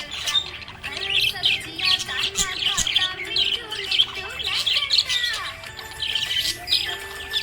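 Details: Budgerigar in a happy mood keeps up busy chirping and scratchy warbled chatter, bursts coming every second or so, with background music and some voice-like sound mixed in.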